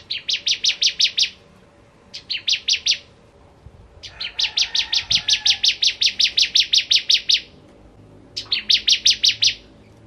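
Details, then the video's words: Singing bar-winged prinia, Kristal variety, repeating the rapid ngentrok trill: several bursts of crisp, high chipping notes, the longest run lasting about three seconds, separated by short silences. "Ciblek Kristal Gacor Full Ngentrok"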